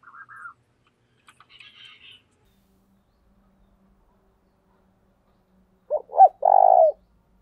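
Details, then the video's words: Decoy spotted dove, thổ đồng voice, giving its calling coo near the end: two short notes, then a sustained buzzy note. The clip opens with faint high chirps and is otherwise quiet. "Tiếng cu gáy mồi chuẩn gáy gọi"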